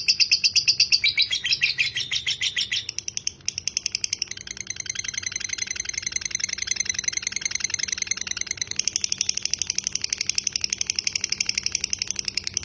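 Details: Long "ngekek panjang" chatter of a lovebird, a tutor recording for training other birds. A continuous rapid trill of high notes shifts pitch and pace several times and runs unbroken for over twelve seconds.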